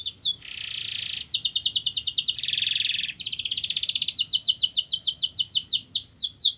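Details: Canary singing, played to coax a reluctant canary to sing: alternating buzzy rolls and fast pulsed trills, finishing with a long series of rapid falling sweeps that slow slightly near the end.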